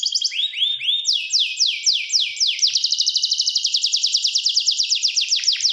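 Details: Gloster canary in full song: rolling, sweeping trills that start slower and then speed up into a long run of rapid, evenly repeated high notes, with no other sounds.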